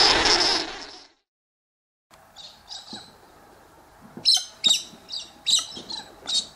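Australian King Parrot giving short, shrill, high chirps in quick uneven bursts over a steady low hum, after a brief opening rush of noise.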